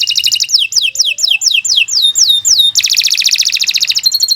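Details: Canary pouring out long 'gacor' song: a series of high, descending whistled swoops repeated about three times a second, then a dense, fast, buzzy trill.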